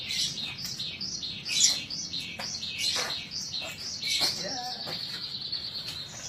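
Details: Pet Javan bush lark from Indonesia singing hard: a long, high, twittering phrase of chirps and slurred whistles, broken by a few sharp, clicking notes and brief pauses.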